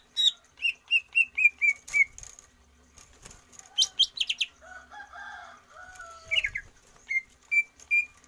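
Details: Greater green leafbird singing for stamina training: rapid whistled notes repeated in a descending series, sharp high chirps, then lower squawky harsh notes and further whistles, with wing rustling.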